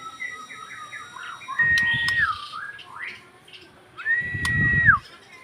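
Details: A captive white-rumped shama at Pangandaran, described as having some of the best physical traits, sings clear fluty whistles: a quick run of varied short notes, then two long, level, pure whistles a couple of seconds apart, over low voices and background noise.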